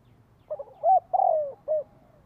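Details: Spotted dove lure call used to draw in wild birds: two short soft notes, a rising coo, a long loud falling coo, then a final short coo, with a faint low rumble behind.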